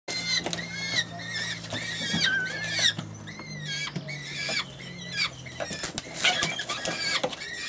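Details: Danube saker falcons in falconry with chicks about three weeks old, 30 August 2015, give repeated thin, squealing calls that waver and slur, several overlapping in quick bursts, over a low steady hum.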